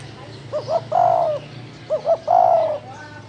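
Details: Spotted dove cooing in the 'thổ đồng' manner: two phrases, each two quick hollow notes followed by a long steady coo that drops at the end, about 1.4 seconds apart, over a low hum.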